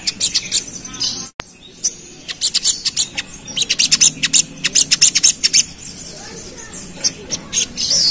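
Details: Agitated pied fantail singing the fast 'ngerap' style, used as a provoking lure: after a sharp click, bursts of high, scratchy clipped notes quicken into a tight rattling run, then loosen toward the end.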